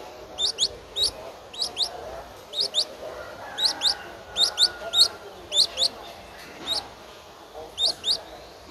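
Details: Thin rising squeaks from an 11-day-old Streak-eared Bulbul nestling, recorded 13 April 2023 in Ubon Ratchathani, Thailand, come in spaced pairs and singles roughly every half second against a quiet background.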